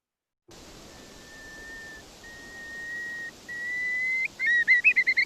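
Long-billed Curlew giving three drawn-out, clear whistles, each about a second long and rising slightly, then a quick run of rolling, upslurred whistled notes.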